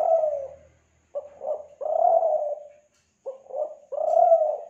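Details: Kelantan spotted dove (tekukur) calling, used as a lure sound: soft mellow coos, a short clipped note, a brief pair, then a long sustained coo, repeated twice in under five seconds against a quiet background.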